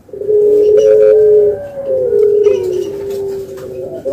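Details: Spotted dove giving long, low, steady coos, one drawn-out note followed by a second slightly falling one, clear over a quiet indoor background.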